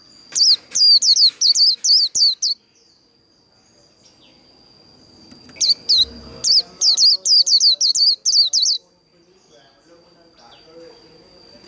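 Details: Líu đấu fighting song of a Japanese white-eye: two bursts of quick, high, buzzy downslurred notes, a soft thump in the middle, and a steady high whine between the phrases.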